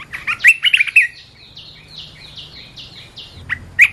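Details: Red-whiskered bulbul, a cage bird, in a training and lure recording. A short, loud warbled phrase is followed by a softer row of about eight evenly spaced downslurred notes, then two sharp chirps.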